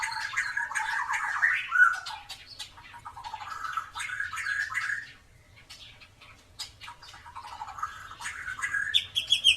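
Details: White-rumped shama of the clover-tailed type, singing steadily as a master recording for training other birds to sing. Rich, varied phrases of whistles and harsh notes run in bursts, pause briefly around the middle, then resume with high sharp notes.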